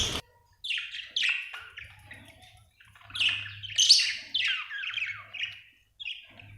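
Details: Budgerigar, an Australian bird, chirping in a rapid run of sharp, warbling high notes with short squeaky slurs, some pauses, and a faint low hum underneath.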